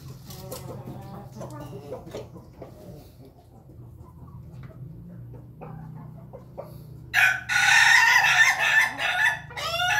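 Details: Red-combed rooster on 20 May 2024; soft clucking and murmuring first, then a loud, rasping crow begins near the end and is cut off before finishing.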